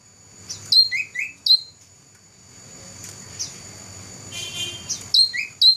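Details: Competition-winning black-throated laughingthrush, 2014: quick sets of piercing high chirps with lower whistled slurs, a quiet pause and a scratchy buzzy patch, then more bright chirps, over a thin constant high tone.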